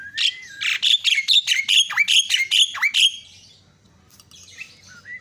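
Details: Myna used as a lure to make other mynas agitated and vocal: a rapid run of loud, harsh, buzzy chattering notes, about three per second, for three seconds, then quieter scratchy sounds.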